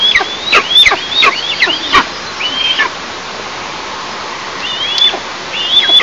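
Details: Nest of Eastern imperial eagles, 11 July 2024, morning. A burst of rapid high whistles, each dropping sharply, gives way to a quiet pause before a few more whistles resume.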